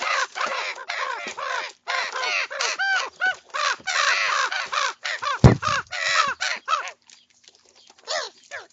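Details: Many young common ravens feeding on breakfast and squabbling over food, giving a dense, almost continuous stream of hoarse croaking squawks, with one sharp thump partway through.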